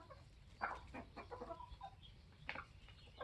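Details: Young Polish layers, 21 weeks old, with their rooster: a loud cluck burst, then a string of short rough clucks and small whistled notes, another sharp cluck near the end, and soft steady background noise.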